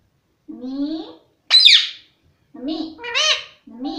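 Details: Household parrot saying "mummy": a low speech-like syllable, a sharp high screechy note, then more word-like syllables rising and falling in a mimicked voice.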